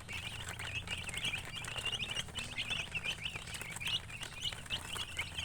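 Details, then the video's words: Young chickens peeping constantly, a stream of thin high chirps from several birds at once, with a low hum and light pattering in the background. "Chicks Chirping"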